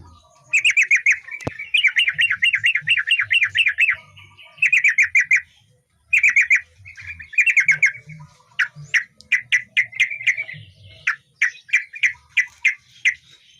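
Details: Energetic male yellow-vented bulbul song for training other birds: long bursts of fast, bubbling, rolling chatter broken by short pauses, later shifting to crisp separate chips repeated two to three per second; faint low background noise.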